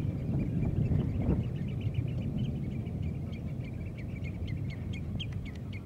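A Common Redshank gives a fast run of short, clear piping notes, about two or three a second, over a steady low rumble of wind.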